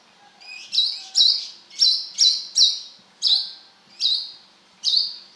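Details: Brown-throated sunbird singing vigorously: eight loud, sharp, high notes, each a quick upward flick settling into a short flat whistle, spaced irregularly about every half second, over a quiet background.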